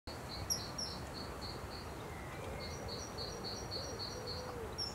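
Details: Kingfisher pair mating in spring: a fast series of high, thin piping notes, evenly repeated about five per second, pausing briefly midway before resuming, over a low steady background hum.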